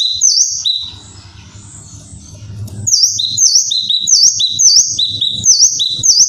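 A kinoi gives a sharp, high two-part call, a quick dipping whistle then a lower note, repeated about twice a second over low thumping noises.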